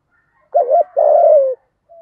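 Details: Spotted dove decoy calling in 'giọng thổ' style to stimulate other doves: a wavering double coo, then a long steady coo that falls slightly, followed by a faint soft note.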